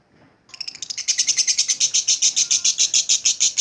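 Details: Lovebird ngekek song, clear and used to prompt other lovebirds: after a soft start, the chatter builds within half a second into fast, even, shrill pulses of about three per second.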